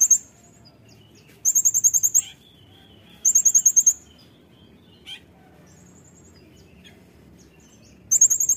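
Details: Brown-throated sunbird, singing energetically in 'nembak' style for a cage-bird tutoring recording, gives short bursts of rapid, thin, very high staccato notes between pauses, with a single brief descending note.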